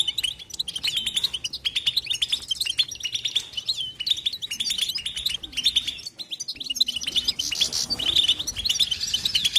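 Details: Nonstop European goldfinch chatter: rapid tinkling high twitters and metallic buzzy notes pour out steadily, with rhythmic pulses of louder phrases and one short quieter gap just past six seconds.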